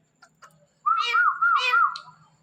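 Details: Indian ringneck parakeet talking on a Thursday night, a clear wavy whistled phrase with rich harmonics held for over a second, preceded by a few faint clicks.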